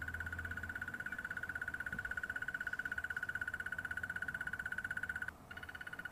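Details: A Crested Barbet, probably a male but possibly a female, calls on an afternoon drive at Djuma Game Reserve, South Africa, on 23 September 2015, its crest blowing in the wind. It gives a long, fast, even trill at one steady mid pitch, reportedly sustained by circular breathing, broken only by a brief pause near the end.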